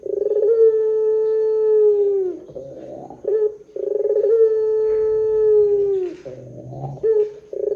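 Barbary dove giving two long, drawn-out mellow coos, each about two seconds, sagging at the end, each followed by a brief rough note and a short coo.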